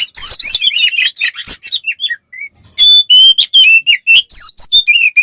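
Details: Oriental magpie-robin fighting song used to provoke other males: rapid harsh chirps, then a short pause followed by clear repeated whistled notes sliding downward.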